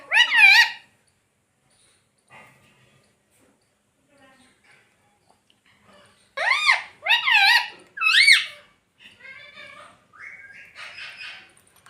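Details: Pet rose-ringed parakeet (ringneck parrot) kept at home, talking and saying words like "Mummy Papa" and "Mitthu". Loud, harsh, warbling voice-like bursts open the recording, then a quiet pause, then three strong bursts in quick succession, followed by softer chatter in a small room.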